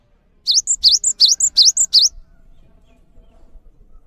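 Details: Cinereous tit singing steadily as a model for teaching other birds: about five quick pairs of sweeping, piercing notes and high pips in under two seconds, then faint background rustle.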